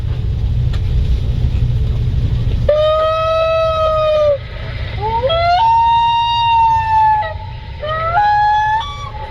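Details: Loon wail call, a locational call often confused with a wolf: a long, mournful held note, then two calls that slide up to a higher sustained tone. A low room rumble comes before it.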